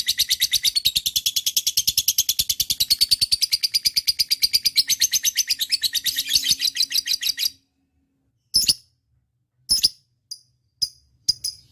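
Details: Lovebird pours out rapid high scratchy chatter for over seven seconds, then falls silent before a few isolated sharp chirps; faint low hum underneath.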